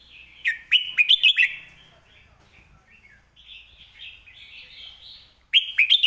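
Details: Red-whiskered bulbul sings a tutoring master song: a phrase of bright, rapid slurred whistles, softer warbling in the middle, then the loud whistled phrase starting again.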